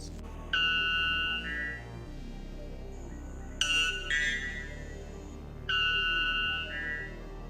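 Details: A white bellbird gives three loud, ringing, metallic two-part calls a few seconds apart, each a rich tone that steps to a second note, over faint room hum.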